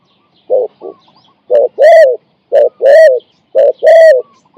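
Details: Spotted dove used as a decoy to lure and catch a wild dove. Loud, mellow cooing phrases: a short note, then a longer drawn-out coo, repeated about once a second, with little background noise.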